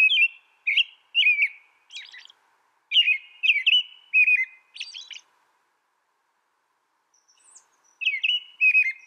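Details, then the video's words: An American robin sings clear, rich caroling phrases, two or three at a time, pausing several seconds between groups. "American Robin Bird Sound, Bird Song"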